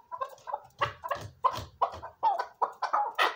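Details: Chukar partridge giving a run of short, clucking notes, about three per second, each a rough burst with a faint low thump beneath, rising in loudness toward the end.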